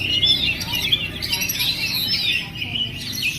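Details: Bachelor Oriental magpie-robin (kacer) singing a rapid, varied run of bright, high whistles and sliding chirps, phrases flowing into one another without a break.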